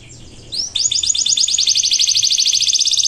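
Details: Canary singing an energetic song used as a lure for silent birds: a faint opening, one rising whistled note, then a loud, fast pulsing trill of repeated high notes lasting to the end.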